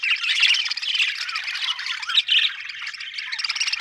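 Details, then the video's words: Steady budgerigar chatter, a thick stream of rapid, scratchy warbles and squeaks that briefly dips in volume around the middle before carrying on. "budgie chirping sound"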